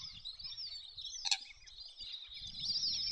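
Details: Wandering whistling-ducks, a species often found in large flocks in fresh and estuarine wetlands, give a dense chorus of thin, high twittering whistles with low wind rumble underneath.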